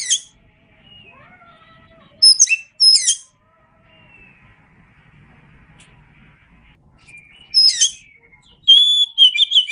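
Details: Oriental magpie-robin (kacer) song used as masteran training audio: sharp high chirping bursts near 2.2, 2.9, 7.6 and 9 seconds, broken by long quiet stretches with faint low background murmur and soft descending notes.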